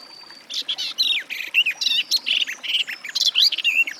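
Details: Garden warbler (Sylvia borin) in full song, pouring out quick bubbling phrases of mellow chirps and short rattling notes in a steady rush.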